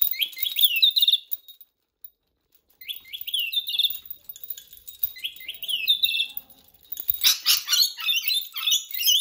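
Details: Female pet rainbow lorikeet going wild over her favourite bells; three bursts of fast, high, rising chirps and twitters separated by short pauses, ending in a louder jangling, noisy flurry of calls and clinks.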